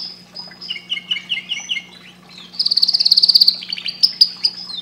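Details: Singing canary delivering short descending whistled phrases, then a rapid buzzy rattling trill and bright chirps, with a faint low hum throughout.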